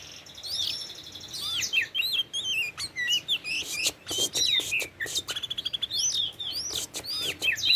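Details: Tame Oriental magpie-robin in rich, varied song: looping whistled phrases that swoop up and down, mixed with sharp clicking ticks and rapid chatter near the end.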